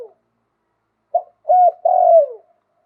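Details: Spotted dove with a wild-type voice, singing in the liu tan cooing style: one full phrase of a short note, then a longer coo, then a drawn-out falling croo, preceded by the tail of an earlier note; otherwise quiet.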